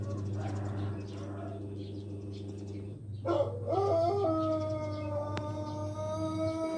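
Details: Pelung chicken, an ornamental rooster breed from Indonesia: after about three seconds of a steady low hum, one long drawn-out crow starts with stepped rising notes, then holds a level tone to the end.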